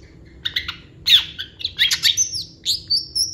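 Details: Short Long-tailed shrike song burst full of imitated phrases: a few harsh chirps, then a louder scratchy cluster, followed by thin, drawn-out high whistles that rise and fall.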